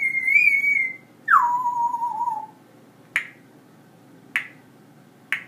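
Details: Indoor pet parrot that talks to the dogs gives a sustained, slightly wavering whistle, then a second whistle sliding sharply down and levelling off, followed by three sharp clicks spaced about a second apart.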